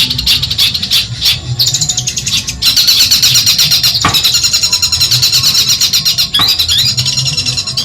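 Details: Long-tailed shrike from Madura, recorded to train other songbirds: a fast, dense high chattering trill with a couple of loud clicks, over a steady low hum.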